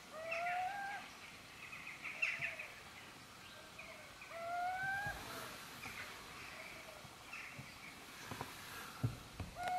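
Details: Little owl recorded at Gmina Podedwórze, 2 November 2018, giving repeated mewing, upward-sliding calls every few seconds, with softer echoing notes between them and steady rural background noise.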